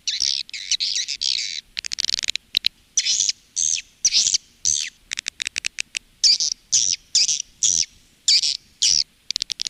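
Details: Calling and roosting sound for swiftlet farming in Indonesia, Women Flower type: longer buzzy high notes alternating with quick clicking chirps, about two notes a second toward the end.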